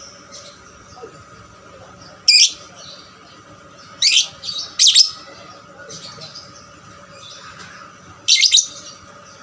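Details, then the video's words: Caged 'paud' lovebird calling to stimulate other lovebirds: a few sharp, high, rasping squawks spread out over nine seconds with long quiet stretches between. "pancingan lovebird paud rajin bunyi... merangsang lovebird lain lebih gacor"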